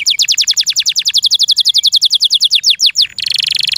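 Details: Song of a kept canary: a long series of rapid, evenly spaced down-slurred notes, slowing briefly before it breaks into a dense, buzzy rolling trill.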